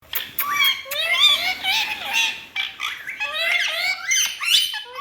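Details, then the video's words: Talking parrots indoors in a small room, voicing speech-like syllables as stacked harmonic tones that rise and fall in quick bursts, with short pauses between phrases. "Parrots Talking"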